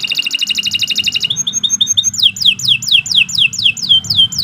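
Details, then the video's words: Canary in long, unbroken song, used for tutoring other canaries: a fast, high, ringing trill of even pulses shifts into a sweeping series of piercing downslurred whistles, roughly four per second, with faint low room noise underneath. "Kicau Burung Kenari II GACOR PANJANG"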